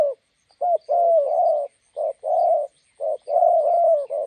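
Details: Roadside trapping in Gia Lai, Vietnam, a decoy spotted dove facing a wild one: throaty rolling coos, a short note followed by a long drawn-out purring coo, repeated with brief gaps.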